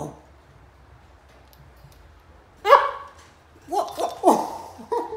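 A cockatoo gives short, harsh bark-like calls, mimicking a dog.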